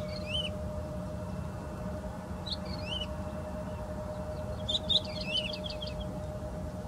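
Woodlark singing soft, liquid slurred whistles in three short bursts a couple of seconds apart, over a steady low hum and rumbling background noise.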